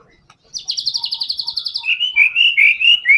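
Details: Murai batu, the white-rumped shama, in full fighter song used as a lure for other songbirds. A fast string of high, buzzy repeated notes about eight per second is followed by clear, lower whistled slurs.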